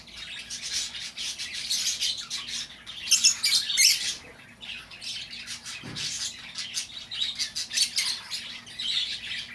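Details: Lovebirds heard indoors, a recording used to lure back an escaped bird: a steady wash of softer, overlapping high chatter with louder harsh squawks around the middle and a faint low thump.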